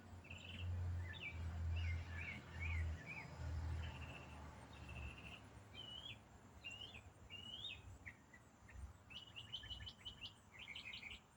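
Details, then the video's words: A single unidentified songbird in autumn sings a continuous, varied warble of high whistled slurs and quick chirping trills, part of a song lasting over five minutes uninterrupted, heard almost daily at the same time of day for over a week; low wind or traffic rumble beneath. "Autumn Songbird - What bird sings one complex riff for 8 minutes non-stop?"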